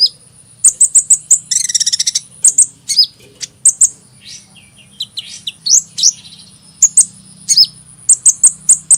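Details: Sunbird calling with clustered piercing chips, a short dense buzzy rattle near the start, and thin rising whistles in the middle before evenly spaced high ticks.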